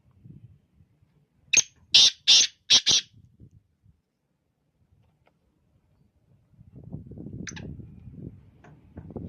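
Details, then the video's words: Morning call of a black francolin, one phrase of five loud scratchy notes packed into about a second and a half, then a faint thin note and low rumbling background noise. "Kala tetar ki awaz"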